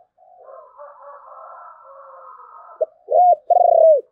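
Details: Spotted dove in the 'thổ bầu' voice style: a faint, muffled warbling murmur first, then a short coo and two loud, rounded coos, the last one long and slightly falling.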